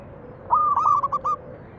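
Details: Zebra dove song meant to coax other doves into song: a single phrase opening on a sustained clear whistle, then breaking into three or four quick rolled notes before stopping.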